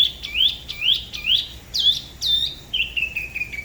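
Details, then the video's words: Solo song of a Dalat spot-throated babbler, La Ba river, Vietnam, a regional style unlike other areas: rising slurred whistles repeated in a quick run, ending in a falling sequence of softer notes. "Tiểu mi La Bá hót solo/ Spot-throated Babbler the best solo La Ba river"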